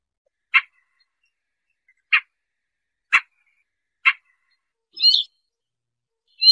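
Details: Siberian rubythroat call used in bird trapping: four dry clicking notes at irregular intervals of about a second, then a brief, busier high whistled note and another beginning at the end, in silence.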